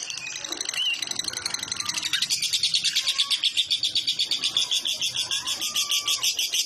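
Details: Tembakan kores ngekek by a lovebird, used as training filler for other birds: noisy, muddled chatter at first, then from about two seconds a clear, rapid rattling trill of high pulses with some background noise.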